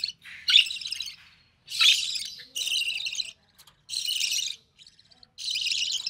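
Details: Recessive pied budgerigar chick born early June 2020, recorded as the mother feeds it; long harsh buzzy bursts, each about half a second to a second, coming in five blocks separated by short pauses.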